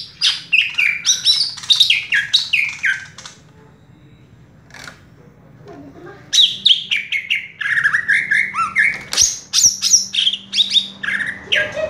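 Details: Captive greater green leafbird singing from a single perch pours out rapid, varied whistles and sharp descending notes, high-pitched and energetic. It pauses a few seconds, then bursts back into quick chattering phrases.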